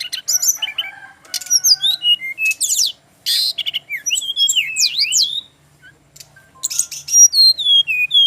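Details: Male brown-chested jungle flycatcher in Bali with a dense, varied song. Sharp rising and falling whistles alternate with buzzy rattles and zigzagging notes, broken by two short silences. A low hum runs steadily in the background.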